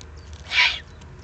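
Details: A single rasping, hissy begging screech from an excited young Eurasian eagle-owl in the Eifel region, Germany, June 2020, lasting about a third of a second over a steady low background hum.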